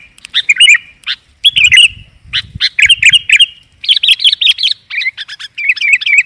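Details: Sooty-headed bulbul song played to lure wild birds. Bubbly, warbled phrases of quick slurred notes come in short bursts, with soft low thumps in the background.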